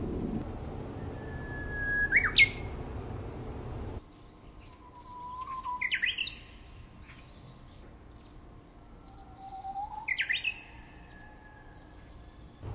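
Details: Bush warbler singing three phrases, each a long steady whistle held for about a second that ends in a quick rising, warbling flourish. Phrases come roughly every four seconds against a steady low background hum.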